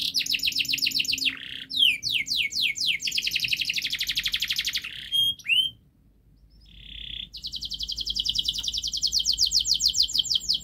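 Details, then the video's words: Canary giving a long, fast, tight tutor song to get young birds singing quickly. Dense buzzy rolls and runs of descending sweeps pause briefly midway, then an extended fast trill of repeated notes resumes. "Kenari Gacor Panjang Speed Rapat Untuk Pancingan kenari Paud Agar Cepat Gacor"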